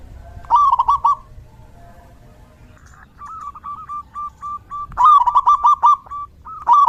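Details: Zebra dove song during the rainy season, used as a therapy sound: bursts of rapid bubbling coo notes, plus a quieter series of steady, evenly spaced single notes between them.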